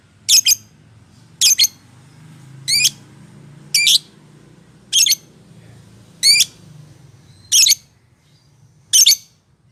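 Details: Lovebird sound used as a prompt to get a rarely singing lovebird to sing: harsh, high squawks, some with rapidly stepped upward sweeps, each a doubled burst, repeated roughly every second and a quarter over a faint low hum.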